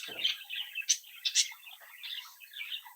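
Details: Captive young budgerigars from a home clutch chattering indoors: a low rough note opens, then warbled chirps and two sharp clicks, trailing into softer chatter.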